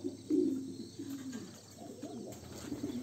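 Homing pigeon chicks give low, soft, throaty cooing and squeaky murmurs in short uneven bursts, with a faint steady hum behind.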